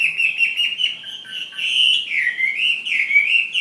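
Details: Ha Giang fighting hwamei from Vietnam singing one continuous warbling whistle that wavers up and down without breaks.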